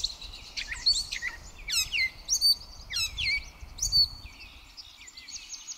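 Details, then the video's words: Gray catbird singing on 4 May 2024 at Pleasant Valley Wildlife Sanctuary: a varied, jumbled run of short squeaky, mewing and chattering phrases, each under half a second, delivered in quick succession, with faint low background rumble. "gray catbird singing"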